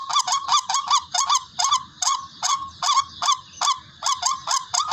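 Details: Barred rail, or tikling, giving its "ruak ruak" call as a hunting lure: clipped, hoarse rising notes in pairs and singles, spaced by brief quiet gaps, with a clean background.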